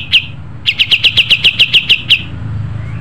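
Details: Brief burst from a pied triller, original voice for training: a single sharp note, a short pause, then about ten rapid downward-slurred whistles before quiet returns.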